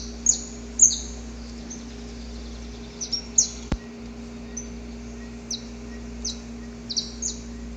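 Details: Courting male saffron finch singing before daybreak in natural surroundings. Sharp, high descending chips come in small groups, several loud ones early, then softer repeated slurs later, over a constant low hum.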